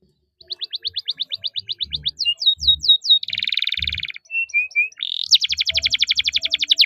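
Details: Canary song used as a tutor for young birds: rapid repeated chirps, sweeping notes, a buzzy rattling trill, short whistles, then a long fast rolling trill, with faint low thumps beneath.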